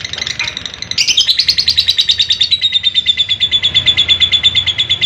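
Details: Lovebird giving a long, clear natural trill (ngekek panjang), used as a master recording to prompt adult birds to sing: brief chatter, then a high sustained rapid pulsing trill, about three pulses per second in loudness, running steadily to the end.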